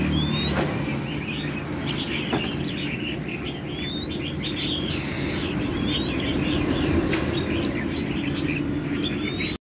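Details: A moulting oriental magpie-robin sings a run of quick chirps and short upslurred whistles, steady throughout, over a loud rumble of passing traffic.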